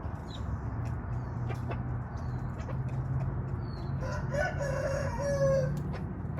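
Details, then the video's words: Young wild red junglefowl, a male of this year's brood growing into a cockerel, recorded in 2023. It gives one short, broken crow of about two seconds of harmonic notes in the last part, over a steady low hum. "Young Red Jungle Fowl 2023"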